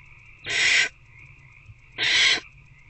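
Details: Adult barn owl at a nest box at night, 9 pm on 19 February 2024, feeding an older owlet one on one. Two harsh, hissing screeches about 1.5 seconds apart, each lasting under half a second, over a steady low hum.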